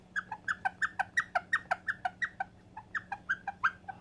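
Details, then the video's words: A white Indian ringneck, a pet rose-ringed parakeet that loves playing, gives a rapid string of short, harsh, nasal chirps, about five each second, over a faint steady electrical hum. "White Indian ringneck making beautiful noises"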